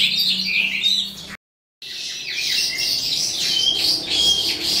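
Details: Eastern calandra lark beginning its end-of-day song, fast chattering chirps and thin whistles, briefly cut by a silent gap, then resuming in a steady, rapid high flow.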